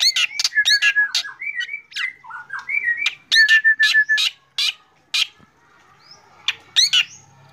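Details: Black drongo singing actively in the morning: a rapid run of loud, harsh, rasping notes mixed with short whistled slurs, about three per second, then a brief lull before a few more rasps.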